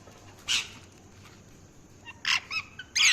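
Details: Parrot chirping: a few short, harsh, noisy squawks and chirps at irregular intervals, including a cluster of three quick notes, with a faint steady hum in the background.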